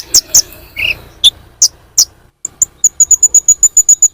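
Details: Sunbird, known locally as kolibri ninja, in a lure recording used to attract birds: sharp, very high chirps, a few scattered and then a fast, steady run of short ticks in the final second and a half.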